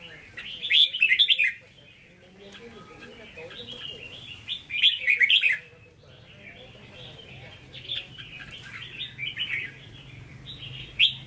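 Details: Singing in the Hue 'ché' style, a caged red-whiskered bulbul gives three loud, rapid warbled bursts spaced a few seconds apart. Continuous softer chirping runs between them, with a faint low hum.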